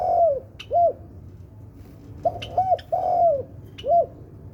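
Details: Spotted dove, of the variety called tekukur sultan, singing: soft, low, rounded coos in short groups, one drawn-out note followed by shorter clipped ones, with faint high chirps from small birds in the background.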